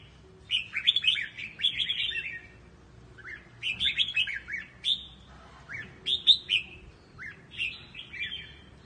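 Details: Red-whiskered bulbul singing in the Quang Tri regional tone for voice training: clear, chattering whistled phrases of fast slurred notes, repeated in several bursts with brief silences, low steady background hum.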